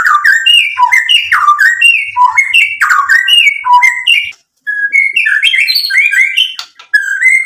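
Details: White-rumped shama in full energetic song, unloading its repertoire: loud, rich whistled phrases that jump between low and high notes, with quick slurred flourishes repeated almost without pause and one brief gap near the middle.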